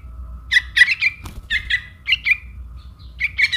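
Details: Trukan young calling its mother, used to lure birds: moderately loud, raspy squawks in pairs and short runs, roughly four per second in bursts, with a low rumbling background and one brief click.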